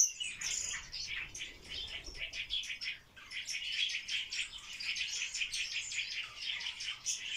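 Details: Barred warbler mating dance: a long run of fast, buzzy chattering notes, briefly dipping quiet around the middle before resuming, with faint wing flutters.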